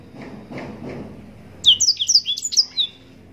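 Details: Yellow-rumped serin song: after a quiet start with soft background sounds, a short quick burst of high, sharp, slurred chirps follows in rapid succession, from a captive-bred bird.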